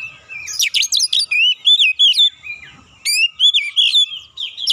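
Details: Kacer song meant to provoke birds: energetic oriental magpie-robin phrases of harsh buzzy notes mixed with clear rising whistles, about 167 notes a minute, in two dense bursts.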